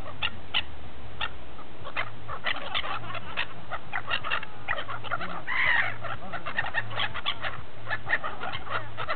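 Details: At Repino near St. Petersburg, a feeding gull flock produces overlapping short sharp calls, with one drawn-out, wavering cry standing out midway, and a continuous low drone behind.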